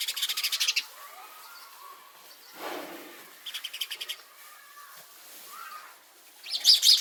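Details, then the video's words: Chirping house sparrow: fast strings of sharp, bright chirps open the recording, return in a shorter run midway and end in a loud final burst, with a brief soft rushing noise between them. "Sparrow Chirping sound | 4K videos | House sparrow sounds"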